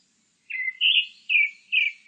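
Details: Grey-backed thrush singing: a phrase of clear, slurred whistled notes, each dropping slightly in pitch, given in quick succession about every half second against a silent background.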